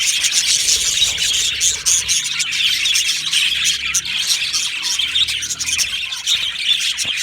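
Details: Colony of budgerigars chattering nonstop. Bright, rapid chirps and warbled phrases blend into a steady high chorus.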